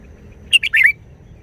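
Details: Red-whiskered bulbul giving one brisk wild-style song phrase: three fast, clear, liquid notes with a bubbly lilting finish, set against low background hum.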